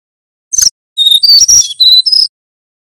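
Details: ['Male brown-chested jungle flycatcher, Banten origin, in nyuling whistling song used to tutor other birds. One brief buzzy note is followed by a string of pure high whistles of varying pitch, joined closely together, lasting about a second.']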